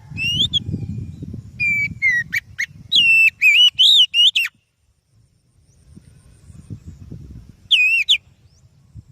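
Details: Loud whistled song of an oriental magpie-robin, played to lure other birds: a run of sliding, wavering notes in quick succession, a pause, then one more short phrase, with low rumbling in the background.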